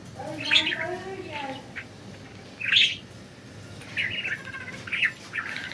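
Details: Budgies flying free chirp in scratchy warbled bursts every second or two, four or so clusters, with a lower harmonic chatter near the start.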